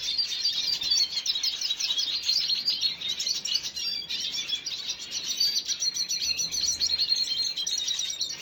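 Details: Red siskin on 5 June 2022, a long run of rapid high twittering notes, steady and rattling, continuing evenly throughout with no other clear sounds.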